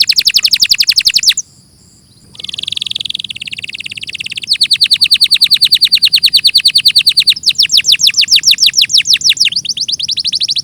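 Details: Canary song in clear audio: fast trill of falling sweeps, brief pause, a buzzy low roll, a long even clicking trill, then faster whistled sweeps.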